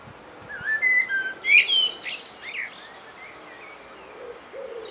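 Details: A common blackbird singing in Great Torrington, Devon, gives one unhurried phrase of low, fluty whistles that ends in a thin, squeaky twitter, followed by quiet background.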